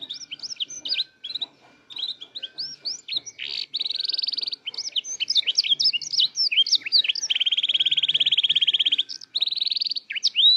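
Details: Young canary beginning to learn to sing and put its song together, used as a lure: varied high twittering phrases mixed with long buzzy trills and quick rising and falling whistles, a faint hum underneath.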